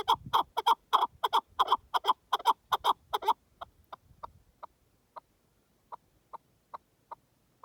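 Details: A partridge calls in the wild: a loud, fast burst of harsh chuck notes for about three seconds, then the calling thins into single, widely spaced softer notes that fade out.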